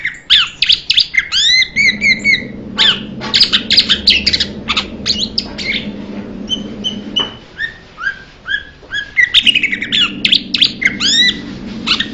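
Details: Blue-winged leafbird giving a rapid run of varied chirps and sharp, rising and falling whistled notes in dense bursts, with brief pauses, over a steady low hum.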